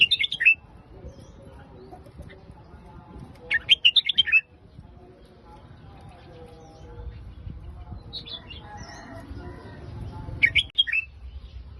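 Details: Red-whiskered bulbul singing in the Phetchaburi song style: short, bright warbled phrases of quick rising and falling notes at the start, near four seconds, and again near ten seconds, over a low background hum.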